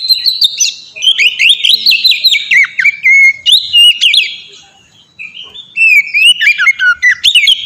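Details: Oriental magpie-robin's melodious ngeplong song, used as a training lure to bring on active singing: clear wavering whistles and jumpy slurred notes in dense, fast phrases, broken by a brief quiet gap before a renewed burst.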